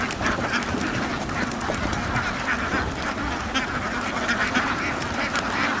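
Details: Ducks on a duck farm forming a dense, continuous chorus of overlapping harsh quacks, with no pauses across the whole stretch.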